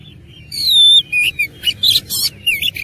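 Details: Fighting oriental magpie-robin, a long clear whistle falling at its end, then a quick run of short buzzy and slurred notes delivered in rapid succession.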